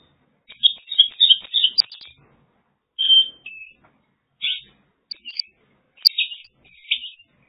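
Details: Song of a Mongolian lark recorded in China: a dense scratchy warble followed by scattered short phrases, chirps and sharp notes spaced over several seconds, with quiet gaps between.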